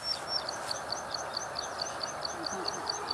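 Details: Plain prinia, Taiwanese subspecies flavirostris, recorded 2 June 2019 along Dianbao River, Taiwan: a steady run of short, high, sharp 'tee' notes, a little over two per second, above a constant hiss of background noise.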